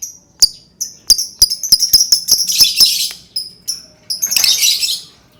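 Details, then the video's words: Lovebird song used to prompt other lovebirds to sing: rapid series of sharp high chirps and clicks, accelerating into dense harsh chattering bursts, with a broad noisy burst near the end. "Suara burung lovebird cocok banget untuk pancing lovebird berbunyi"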